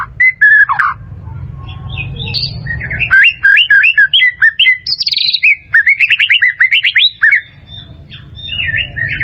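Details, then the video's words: White-rumped shama singing in captivity, played for training other birds: rich, fast whistled phrases with rising and falling notes and a rapid rhythmic series, over faint low background hum. "SUARA MURAI BATU"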